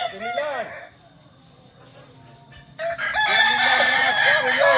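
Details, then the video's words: Crowing Kukuak Balenggek roosters, ornamental chickens native to Solok, West Sumatra, during practice competition. A stepped crow opens, then a near-quiet gap, then from about three seconds a dense chorus of overlapping multi-note crows. "Latberan ayam kukuak balenggek akb ayam hias asli solok sumbar"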